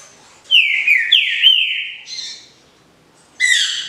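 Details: A captive green-winged saltator from Paraná sings its smooth song: a loud, clear phrase of rich, slurred whistles, dropping then rising, ending in a brief buzzy note.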